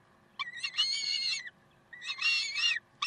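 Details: Peregrine falcons at Karlsruhe on 30 May 2010, 7:27, giving two rasping, buzzy, harmonic wails of under a second each, introduced by short clipped notes, over a faint steady background.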